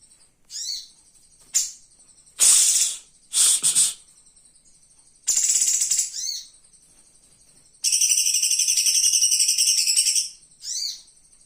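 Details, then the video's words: Flowerpecker singing live for a cage-bird training master recording: sharp high chips and short bursts alternating with thin whistles, then a long dense buzzy trill and a final short note. "Masteran burung hidup"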